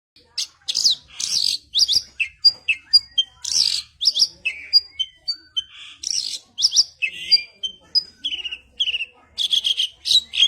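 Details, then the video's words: Branjangan, the Javan bush lark, in a lavish rolling, rapid-fire song: a dense run of high sharp chirps, whistled notes and buzzy trills, bursts coming quickly one after another with brief gaps. "Branjangan Mewah Roll Tembak"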